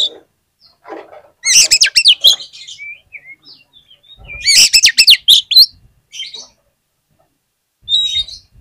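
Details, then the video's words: Kacer, the oriental magpie-robin, sings as a lure for other magpie-robins: rapid, loud phrases of warbled, rising and falling whistles with harsh chatter, separated by quiet gaps and thin single notes. "PANCINGAN KACER ANTI GAGAL !! KACER APAPUN DI JAMIN LANGSUNG NGOBRA ON NGUNCI"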